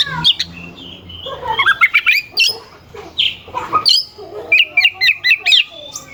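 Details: A singing oriental magpie-robin, with sharp, rough phrases meant to stir rival birds into singing. It gives a jumble of whistles and quick chattering notes, ending in a rapid repeated series.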